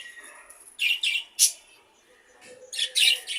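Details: Half-tame budgerigar kept as a pet. A few scratchy chirps, then a short pause, then another pair of rough, buzzy notes.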